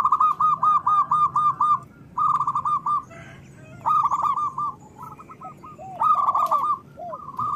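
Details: Local zebra dove singing with a big voice, meant as a lure for idle doves: crisp rows of quick repeated coo notes in phrases of about a second, broken by pauses, other doves faintly overlapping.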